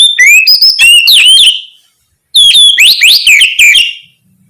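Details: Kacer, the oriental magpie-robin, in forceful 'ngeplong gacor' song used to make other magpie-robins respond. Two rapid phrases of piercing whistles with steep up-and-down slurs, divided by a short silence.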